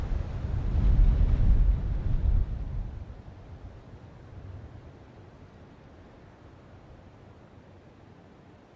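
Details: Deep low rumble, loudest in the first three seconds, then fading to a quiet steady hiss, with no animal voice.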